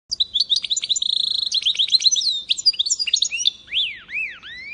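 A goldfinch-canary mule sings a bright, rapid song of twittering notes, trills and rising slurred whistles.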